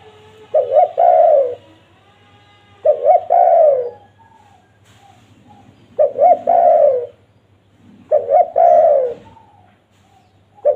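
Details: Spotted dove calling, used as a lure for wild doves. Four phrases, roughly every two and a half seconds, each a quick double note followed by a prolonged downward-sliding coo.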